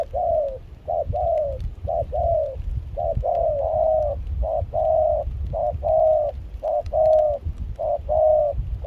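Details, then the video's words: Wild-caught spotted dove serving as a trapping decoy in Kon Tum, Vietnam, in rain and chilly wind, mixed foreign-style voice; continuous rhythmic cooing in short-long pairs, mellow and slightly falling, about one pair each second, light wind behind. "Gác cu khi trời mưa gió se lạnh.bổi giọng pha nước ngoài chơi tốt."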